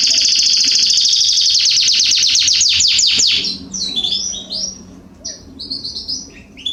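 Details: Canary song from a garden in September 2020, opening with a fast, loud trill of repeated downswept notes lasting about three seconds, then softer varied chirps and twitters.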